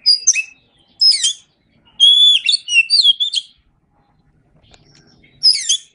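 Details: White-rumped shama song for training other birds: quick varied phrases of fluty whistles and chattering notes, a longer rich passage of rising and falling whistles, then a pause and one final burst.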